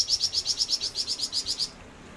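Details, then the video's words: {'caption': 'Flamboyan bird singing actively, with a brisk, regular series of about thirteen high, sharp chirps that ends abruptly and leaves low background hiss.'} "Burung flamboyan gacor"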